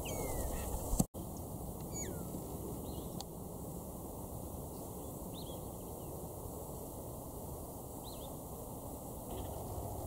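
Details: Musical contact calls of a red-winged starling pair eating prickly pear berries, Eastern Cape, South Africa, March 2016. Several brief whistles, some falling and some curling up, are scattered across the clip, with a sharp click near the start over steady hiss.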